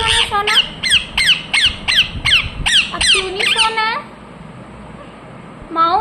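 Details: Ringneck parakeet screeching in a quick, even string of about ten harsh, downslurred calls. Silence follows, then one more squawk at the close.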